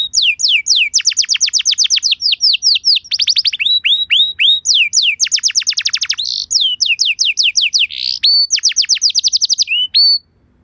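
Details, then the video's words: Canary lure song used to prompt other canaries to reply, delivered as nonstop fast trills of sharply down-swept notes, about four per second, with brief buzzy notes between phrases and a final held whistle. "Bakal Langsung Nyaut Burung Kenari Kondisi Apa Saja Dengan Pancingan Kenari Lagu Mewah Ini"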